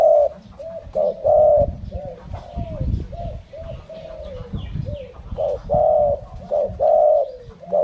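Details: Malay-line spotted dove repeats soft low coos in uneven groups of short and drawn-out notes, with rustling, knocking background noise and a quiet voice present.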